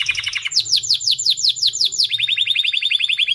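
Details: White canary singing a fast rolling song, with quick downward-sweeping notes repeated in a steady trill, then shifting into a lower, evenly pulsed rattle.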